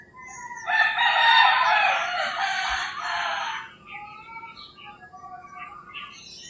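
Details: Rooster crowing in early morning in rural Philippines: one loud, harsh, drawn-out crow lasting about two and a half seconds, followed by softer chirping and whistling of other birds.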